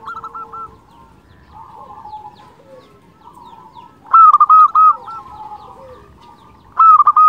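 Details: Local zebra dove (perkutut) song used as a lure and to stimulate other zebra doves: soft, low stuttering coos run in the background, broken by two louder bursts of rapid, rolling cooing notes.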